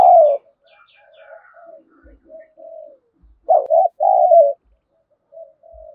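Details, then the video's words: Spotted dove used as a lure bird to provoke wild doves to fight. Soft, low coos lead into a loud, throaty two-part coo near the middle, followed by quieter cooing notes at the end. "Chim Cu Mồi Thúc Đấu/ tieng cu gay kich boi nhanh noi"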